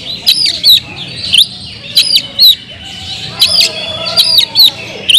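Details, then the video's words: Oriental magpie-robin singing loudly to provoke others of its kind: short whistled phrases, each ending in a quick upward or downward flick, repeated about every half second amid a faint background hum. "kacer gacor‼️suara kicau burung Kacer kemrayak biar kacer lain konslet"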